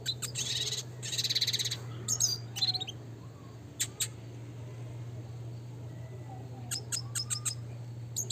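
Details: Classic red siskin, a captive-type training recording, singing in bursts of high buzzy chirps and twittering notes with scattered sharp clicks between phrases, over a steady low hum.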